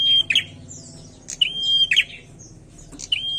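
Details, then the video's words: Bar-winged prinia in full song, a few phrases of a bright level whistle ending in a scratchy buzz, with a brief chirp between them; faint hum underneath. "PRENJAK GACOR"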